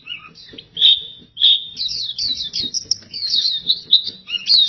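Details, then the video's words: Pleci, the oriental white-eye, in vigorous gacor song: bright, quick chirps rise into a continuous high twittering warble, with short bursts of notes separated by tiny gaps. "PLECI GACOR DORR Suara Mantap abis"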